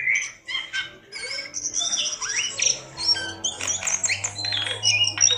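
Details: Persistent song of a Javan pied starling, played as bait to get a lazy bird singing: jerky mix of squawks, rising and falling whistles and harsh chattering bursts with brief pauses, over a low constant hum.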